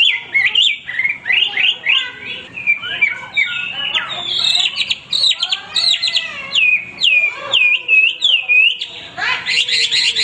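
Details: Nonstop singing from a male Hwamei: swooping whistled notes, rising and dipping slurs, short stuttered bursts and repeated bright upward phrases near the end, all loud and close with no other sounds.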